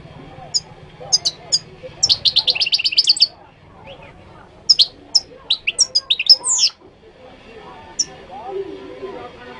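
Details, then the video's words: Moroccan goldfinch singing: rapid bursts of bright, tinkling, twittering notes, including a fast rattled series around two seconds in, then scattered high chirps and liquid trills, over a low background hum. "تغريد الحسون المغربي chant de chardonneret marocain"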